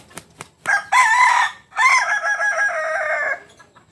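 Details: Kokok Balenggek rooster, a chicken from Solok in West Sumatra, crowing: a few clicks, then a loud harmonic opening note followed by a long multi-syllable stepped crow with wavering tones, ending abruptly.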